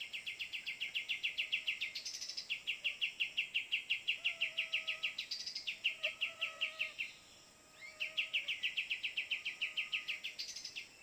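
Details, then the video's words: Cream-vented bulbul in Borneo forest, recorded while luring birds with a phone: long runs of rapid, evenly repeated bright chattering notes, about three to four per second, broken by a brief pause and a higher rising note, over steady insect hum. "PIKAT BURUNG KAPAS TEMBAK GANAS DI HUTAN BORNEO"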